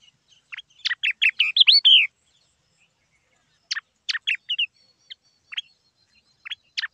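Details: Yellow-eyed babbler in Silvassa, Dadra and Nagar Haveli, India, giving a quick burst of sharp, chirpy and slurred whistled notes, then scattered single chips after a pause; background quiet.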